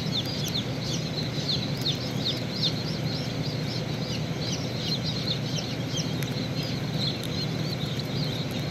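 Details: Baby chicks at a hatchery as a chick hatches out of its shell: many overlapping thin, high peeps, each a quick downward-sweeping note, repeated constantly throughout over a steady low machine-like hum.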